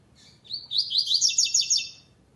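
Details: Double-collared seedeater performing the classic song style without the third note in a second-stage web tournament. A short introductory note, then a brisk chattering sequence of high twittering syllables lasting about a second and a half.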